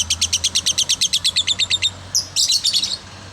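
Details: Lovebird giving a fast chattering series of sharp, high chirps, about a dozen evenly spaced notes, then a brief pause and a denser burst of squeaky, harsh notes; low hum underneath.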